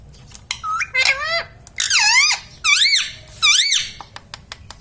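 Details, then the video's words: Pet parrot said to speak words like mummy and papa, giving four drawn-out, loud, rising-then-falling squawky syllables roughly one per second, followed by soft clicks in a room. "parrot talking mummy"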